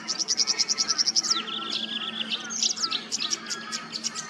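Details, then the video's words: Tawny grassbird from Queensland, Australia: a quick run of about a dozen sharp, high, evenly spaced notes, then a lower buzzy rattle and scattered high chips, with other birds faintly audible. "The most pristine sound of the Tawny Grassbird's call"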